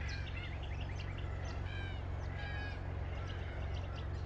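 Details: Several red-tailed black cockatoos calling with short, rolling, trumpet-like notes repeated in quick succession, partly masked by heavy low droning noise.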